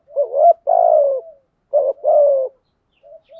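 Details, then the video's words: Cooing decoy spotted dove used to lure birds in the stormy rainy season: two full phrases, each a quick wavering note followed by a long, slightly falling coo, about one and a half seconds apart. "chim cu mồi thúc gù bài bản. tiếng chim cu gáy kích bổi hiệu quả vào mùa mưa bão"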